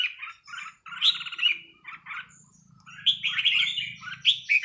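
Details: Red-whiskered bulbul at a leisurely training session, delivering lively chirped and warbled phrases, a pause, then a longer rich jumble of whistles, over a soft low hum.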